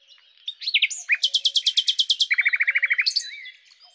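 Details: Common nightingale, Luscinia megarhynchos, delivers a rich phrase: a few slurred notes, then a long, rapid, loud series of repeated strokes shifting to a lower, equally fast rattle, ending in a soft whistle.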